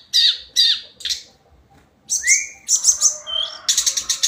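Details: Hill blue flycatcher, known locally as tledekan gunung, singing a daily song: high whistled notes with sharp downward sweeps, a clear rising whistle, then rapid buzzy trills.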